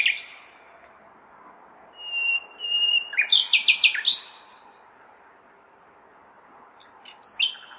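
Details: Common nightingale in a large city on a May night, sustained pure whistles followed by a loud burst of fast repeated notes, then a short fragment near the end, with steady city noise behind.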